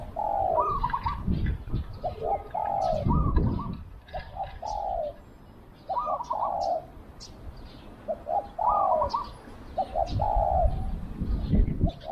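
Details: Decoy spotted dove luring wild doves, with phrases of quick stuttering coos ending in a drawn-out falling note. Overlapping coos may come from a second dove, over low rumbling noise and scattered faint chirps.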